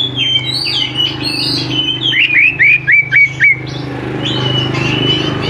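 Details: Greater green leafbird in full song, used as a lure to get young leafbirds singing: a rich, varied song of sweet whistles and a rapid run of five or six chirps, over a steady low hum.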